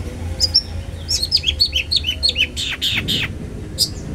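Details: A Long-tailed Shrike, used as a lure to provoke other shrikes to call, gives a quick run of sharp, down-slurred chirps, about six a second, then a few harsher, grating notes over a low hum.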